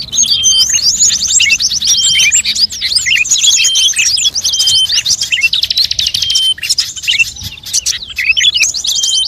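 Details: Mixed-species bird lure audio used to attract birds: nonstop high chattering, fast buzzy trills and scattered sharp chips, with brief clear whistles running throughout.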